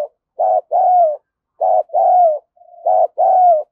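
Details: Decoy spotted dove giving urgent lure calls and coos, meant to excite wild birds into answering: three paired coos, each a brief hoot followed by a drawn-out, slightly descending coo, with clean silence between.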